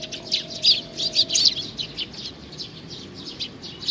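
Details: A young sparrow, June 2019, chirping rapidly in high, bright notes, with a loud run early on and quieter calls afterward.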